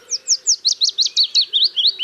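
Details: A willow warbler in spring woodland near its nest sings a sweet, melodic, waterfall-like tumbling run of quick notes that slide gradually downward, with no flourish at the end.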